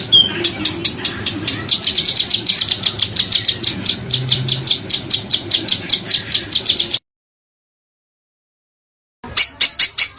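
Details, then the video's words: Masteran for Indonesian contest birds: rapid, shrill, rasping notes repeat steadily for about seven seconds over a low background rumble, then resume after a pause. "Masteran Burung Lomba JERITAN RAPAT DAN KASAR FULL TEMBAKAN TAJAM"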